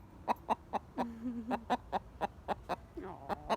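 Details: Golden Buff Orpington pet hen sounding an alarm after something scared the flock: rapid, sharp clucks repeated about four times a second, steady and insistent, with a woman's soft voice briefly underneath.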